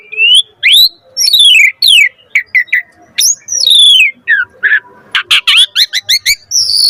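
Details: Asian pied starling song, full of variation, used to spur other starlings into song: swooping whistled slurs repeated in quick series, followed by scratchy chatter and sharp clipped notes.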